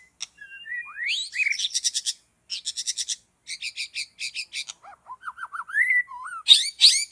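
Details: White-rumped shama in forest while being trapped: a rising whistle, then rapid series of harsh buzzy pulses in bursts, followed by a string of quick looping whistles and sharp chips.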